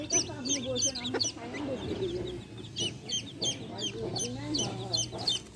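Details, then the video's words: A hen and her baby chicks; the chicks keep up rapid, high, downslurred chirps at roughly three per second while the hen clucks softly and low underneath. "Hen sounds | chicks sounds | relaxation sounds | hen videos | baby chicks chirping sounds"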